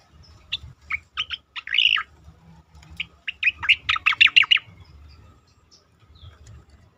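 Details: Asian pied starling song for training competition birds. Separate chirps and a buzzy phrase lead into a fast, loud run of squeaky notes, then it fades to quiet with faint rumble.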